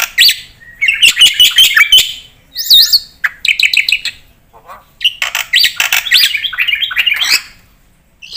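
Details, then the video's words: Black-winged myna in lively full-varied song, used as a lure and training recording for caged birds: bursts of squeaky chirps, harsh buzzy notes and whistled upslurs in dense runs, with short pauses between phrases. "pakai suara burung jalak putih gacor full isian buat pancingan dan masteran pasti nyaut"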